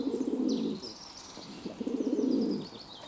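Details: Two deep, vibrating pigeon coos, each lasting nearly a second with a gentle pitch sag at the end, over soft high-pitched twittering of other birds; recorded 11 June 2022.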